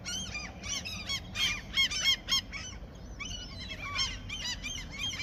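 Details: A flock of gulls being fed near a fishing spot, crying in a busy overlapping chorus of harsh, nasal yelps that rise and fall quickly, several calls per second, with steady low background rumble.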